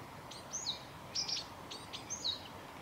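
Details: A Japanese tit at Kanigaya Park, 20 February 2022, gives three short, high, slightly buzzy contact call notes about a second apart, over a faint steady background hiss.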